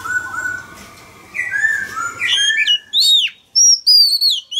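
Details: Male Oriental magpie-robin singing to goad a wild-caught young bird to join in. Quiet warbling builds into sharp, high, arching whistles repeated in quick bursts near the end.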